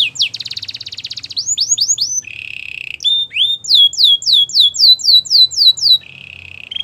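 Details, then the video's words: Belgian canary singing for training, alternating a rapid buzzy trill with slower runs of clear falling whistled notes and a lower, softer churring roll. "Canary singing for training | Belgian canary"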